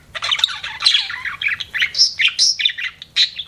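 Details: Pet budgerigars give a quick sequence of squawky chirps and short high whistled notes, spaced in rapid pulses.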